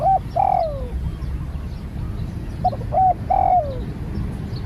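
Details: A Spotted dove, out for training as a new bird, coos twice about three seconds apart. Brief staccato notes precede a drawn, husky coo that slurs downward at the end, over a faint constant low rumble.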